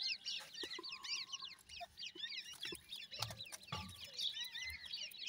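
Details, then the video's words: Teetar, the grey francolin, chicks calling softly: an unbroken twitter of high, slurred peeps from many young birds, with faint low thumps and scratching in the background. "teetar bird chicks,grey francolin birds chicks awaz"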